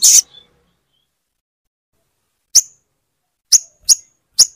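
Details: Crimson sunbird, known locally as sogon, gives sharp, very high single chips meant to prompt a silent bird to sing. A loud opening note is followed by four spaced chips near the end.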